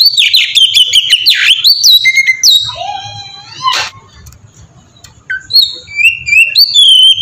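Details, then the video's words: Oriental magpie-robin singing a melodious ngeplong-style song used as a lure to spur other magpie-robins into full song; varied whistled phrases, slurred notes and sharp rising sweeps, with quieter gaps between bursts. "suara burung kacer ngeplong merdu sangat ampuh buat pancingan kacer bahan bikin cepat gacor"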